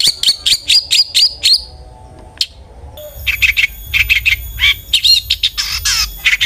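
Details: Long-tailed shrike song played as a lure to prompt other shrikes to sing: a quick series of sharp repeated chips, a brief pause, then scratchy mixed notes with occasional upslurred whistles.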